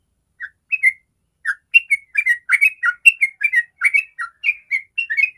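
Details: A sooty-headed bulbul gives a 'ropel' song, used to prompt other bulbuls to sing. It opens with spaced paired whistles, then delivers a quick run of liquid, bouncing notes with brief gaps between bursts.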